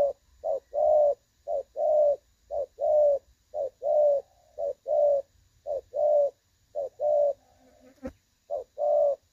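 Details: Clear-voiced 'đồng son' spotted dove call recorded as a decoy for trapping, 16/8/2024: a long regular run of paired coos, short then sustained, about one per second, with a sharp click near the end.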